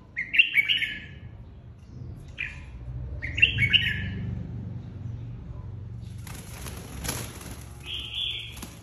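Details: Kept red-whiskered bulbul, a flock leader newly separated, in competitive fighting song: short bright warbled phrases near 0.5, 2.4 and 3.5 seconds, then a stretch of rustling, flapping-like noise with one brief clear whistled note near the end.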